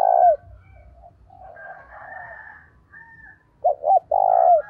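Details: Spotted dove decoy bird calling vigorously to lure wild doves, with its urging 'thúc' voice: a low cooing phrase of two short clipped notes followed by a long, drawn-out croon, opening with the tail of a previous phrase and soft murmurs between.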